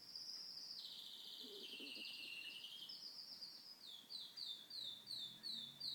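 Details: Pet canary pouring out a fast, high trilled tour that steps up and down, then a run of short, sharp, descending chirps repeated several times a second.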